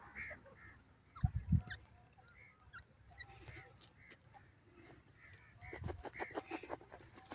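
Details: In the warm season, a francolin gives harsh, grating notes repeated in quick uneven bursts over several seconds, with a few low thumps and some background rustle.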